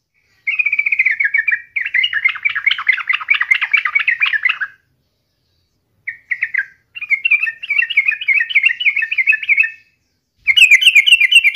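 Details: Sooty-headed bulbul song used as a daily lure to get other birds singing: bubbly chattering phrases around mid pitch, a long burst then pauses, followed by steadier warbling runs and a final sharper burst.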